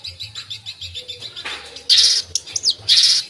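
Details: Cendet or long-tailed shrike in full 'isian' gacor song: a soft run of quick high notes, then loud harsh scratchy bursts and short sweeping whistles.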